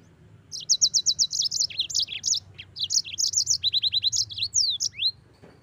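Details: Yellow-fronted canary singing continuously in a long rolling phrase: rapid series of high metallic chirps, short buzzy trills and repeated clipped notes, finishing with sweeping descending whistles; faint low background hum.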